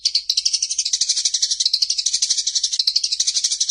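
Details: Eurasian tree sparrows fighting, a master training recording: dense, unbroken high chattering of rapid, scratchy notes, about three per second, with a rolling, rattling texture throughout.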